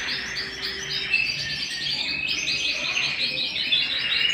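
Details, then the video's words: Canary kept at home in full song, pouring out fast repeated chirpy notes and rippling trills without a break, over a low background hum. "canary bird - canary singing - canary sounds - canary singing at home"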